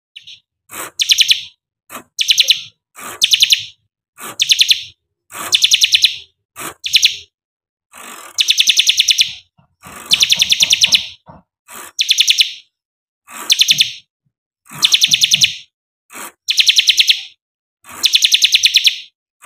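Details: Bar-winged prinia singing from a single spot on its perch without hopping, giving loud, high, rapid trilled "shooting" bursts repeated about once a second.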